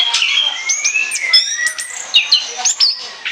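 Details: Orange-headed thrush singing in rich, chattering song, offered for use as a lure: varied whistled and squeaky notes, sharp rising and falling slurs, and clicks following quickly one after another.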